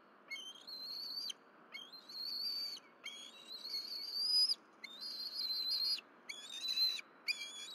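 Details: Nest of wild bald eagles at Berry College, morning of 4/12/23: the mother brings fish, the young bird grabs them, and all three eat. A run of long, strained, high whistles, each climbing slightly, repeated about once per second.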